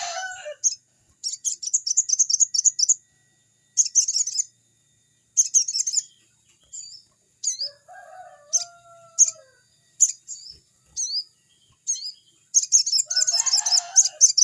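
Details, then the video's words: Crimson sunbird's energetic song, a lure for young birds; repeated high, rapid chattering trills and sharp chips, with lower drawn whistles from another bird in the middle and a noisy burst near the end. "burung sogon GACOR‼️suaranya seperti di hutan‼️pancingan sogon bakalan"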